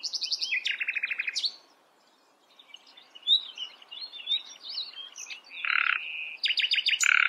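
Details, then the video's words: Common nightingale song with contrasting phrases: a pulsed churring run, a short silence, soft varied chirps, a flat drawn-out note, then fast repeated sharp notes. "Nightingale sings. Nachtigall singt."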